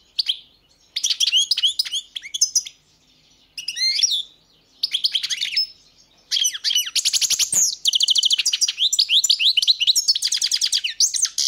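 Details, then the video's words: Goldfinch song of bright, tinkling twitters and rapid trilled notes. Brief phrases open the sequence, then give way to a long, dense, unbroken run of high chattering in the second half. "Pesma štiglića"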